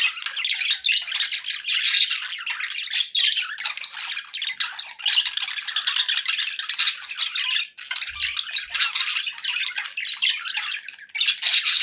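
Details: Happy budgerigars kept as pets, chattering continuously with dense scratchy warbles and squawky chirps, bursts of rapid rattling notes running almost without pause, indoors.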